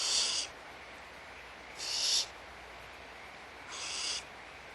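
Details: At feeding time in their nest at Audubon Starr Ranch Sanctuary, barn owls produce three breathy, hissing screeches roughly every two seconds, each about half a second long, against a quiet background.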